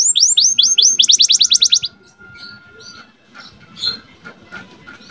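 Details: Young canary master song meant to bring female canaries into breeding condition; a quick series of bright downslurred whistles, then a faster burst, fading into faint scattered chirps and background noise.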